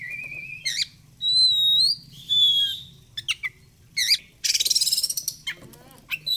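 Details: Oriental magpie-robin song used as a lure to make the bird open and fan its tail: long pure whistles near steady pitch, sharp upswept notes, and a harsh buzzy burst, given in varied phrases.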